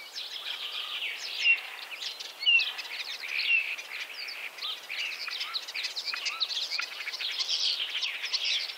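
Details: Starling song recorded in 2017 around Wittlich, Germany: a dense, continuous medley of high chirps, clicks and short slurred whistles, with a few clear upward whistles, steady throughout the stretch.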